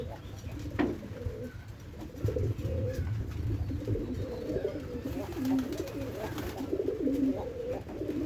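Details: White pigeons kept in a loft, one of three birds, cooing: low, soft, rolling coos repeated through the recording over a steady low hum and light rustling.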